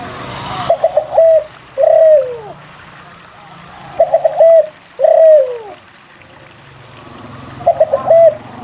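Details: Persistent spotted dove song meant to draw silent doves into calling: three repeated phrases, each a cluster of short clipped notes followed by a long descending coo, roughly every three seconds.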